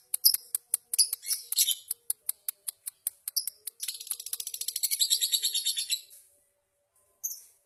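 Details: Lovebirds in a singing duel, champions at district level, used for tutoring other birds. The song is a series of sharp, high clicks that speed into a fast buzzing, chattering trill, pauses, then gives one more brief chirp.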